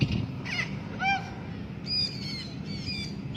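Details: A free-flying blue-backed parrot makes a string of short, nasal, harmonic calls, some arched and some higher and squeaky, spaced irregularly over a low, steady background hum.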